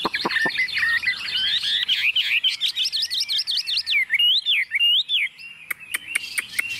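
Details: Tame Chinese hwamei perched on a table, singing with confidence: fast looping whistled phrases that swoop up and down, delivered in quick bursts, closing with a few sharp clicks.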